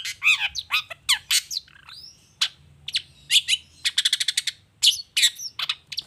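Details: Long-tailed shrike lure song meant to draw replies from other shrikes; varied chirps and slurred whistles, then a fast stuttering run of clipped repeated notes.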